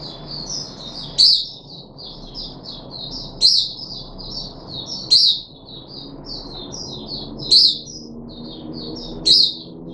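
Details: Puff-backed bulbul kept in a cage, third day of deworming treatment, July 2021: a steady stream of thin, high chattering notes broken by a loud, piercing squeak about every two seconds, with a faint low background hum.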